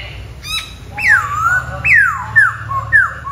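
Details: Black-throated laughingthrush singing: a short high note, then loud, clear whistles that slide steeply downward. They come about once a second, each ending in a softer trailing note, over a steady low hum.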